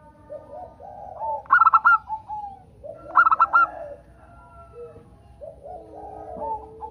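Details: Local zebra dove, recorded to draw song from other zebra doves: two short bursts of quick, ringing cooing notes, surrounded by softer, lower warbling calls from other birds.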